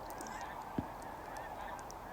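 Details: Snow geese near Vancouver in November, as it turns colder, from a large flock blending into a steady, distant wash of overlapping honks. A single low thump sounds near the middle.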